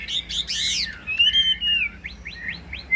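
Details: Short burst from a caged Chinese hwamei with glossy plumage and a fig-leaf tail. A loud, harsh rasp comes first, then a long wavering whistle and four or five quick rising whistled notes in a row.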